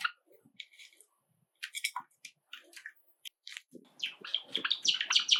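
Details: Pet Java sparrows kept indoors as a group of seven. Scattered short chirps give way to a quickening run of clicking, bell-like notes near the end as one bird breaks into song.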